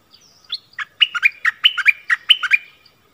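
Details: Decoy bulbul set out to call down wild birds, 16 March 2021, pours out a brisk string of bubbly, up-and-down chirps, nearly a dozen notes in two seconds, in a quiet setting.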